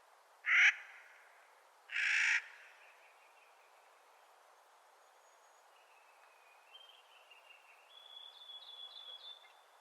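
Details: Clark's nutcracker calling in spring with two loud, harsh, rasping notes about a second and a half apart. Thin, high whistled phrases from other birds follow.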